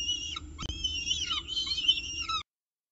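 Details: Peregrine falcon at its nest with breakfast on 19 October 2018, giving high, wavering whining calls with falling slurs, one sharp click, then a brief silence.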